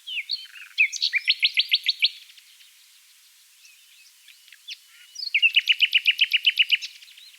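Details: Common nightingale (Luscinia megarhynchos) singing in a dune valley near Oostkapelle, the Netherlands: two rich phrases of rapid repeated notes, each ending in a fast even trill of about a dozen high ringing pulses, with brief soft notes between.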